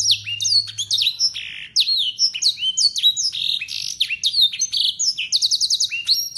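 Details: Yorkshire canary, a local bird, pouring out clear blackthroat-style song: rolling downward-sweeping whistles and buzzes, ending in a quick rattling trill of evenly repeated high notes.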